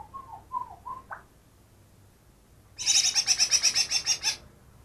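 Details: Greater green leafbird, wild-caught two days earlier, singing a song that copies other birds: a few short whistled notes, a pause, then a loud harsh rapid series of about ten high buzzy pulses.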